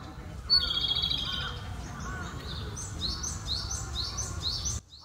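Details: A male Japanese robin singing hidden in a thicket gives a bright trilled phrase, followed by a run of high, quick, repeated notes, over a low rumble of background noise.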